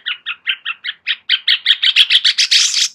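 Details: Sooty-headed bulbul master song, used as training material so a White-rumped shama adds new phrases: a quick series of paired chattering notes about five per second, growing louder and denser into a buzzy burst at the end.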